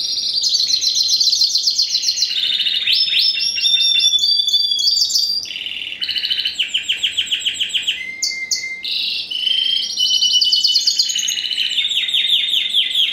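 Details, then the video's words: A long, varied song from a first-generation Spanish Timbrado × wild canary bird, bred 2015, ring ST16: continuous rolling trills change pitch and speed, with a passage of clearly separated pulsing notes and a brief clear whistle. "Timbrado Español x Serinus Canaria"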